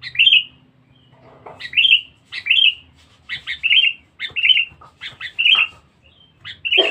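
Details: Sooty-headed bulbul used for luring (pikat), described as very vocal and aggressive. It gives bright, liquid, slurred whistles, some single and some doubled, in a lively run, with a faint low hum behind.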